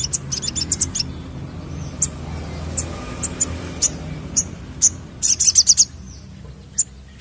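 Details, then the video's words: Crested jay, lure recording: scattered high, sharp clicking notes at irregular intervals over steady low background noise, with a brief rapid rattle of six notes near the end. "Pancingan Sogon Ampuh Pancing Bunyi"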